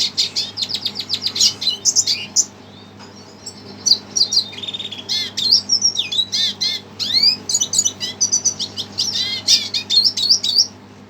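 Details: Red siskin stirred up by a recording played to it, pouring out a long high twittering song of quick chirps, swooping slurred notes and short buzzy trills in bursts, a brief lull near three seconds, steady background hum.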